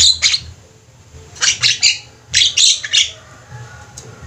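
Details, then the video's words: Group of busily calling Javan mynas, kept as a training track for birds: clusters of loud, hoarse squawks separated by short silences, fading to a single sharp note near the end. "Jalak ombyokan gacor, cocok buat masteran"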